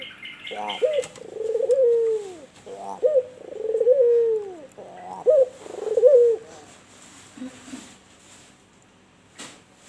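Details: White albino turtle dove (puter) giving a run of four low, mellow coos about a second and a half apart. Each opens with a short note, then a soft rolling slur that drops in pitch. Quiet background.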